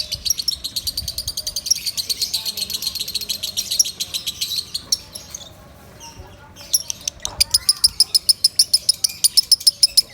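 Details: Lovebird song played loud for training other birds: dense high twittering, a brief near-silent pause at six seconds, then a crisp run of sharp chirps, with a short lower swoop from another bird.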